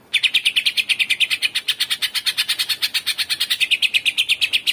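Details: Greater green leafbird (Chloropsis sonnerati) singing a rapid, steady stream of bright, high chirps, roughly three notes per second, sustained without pause over a quiet background.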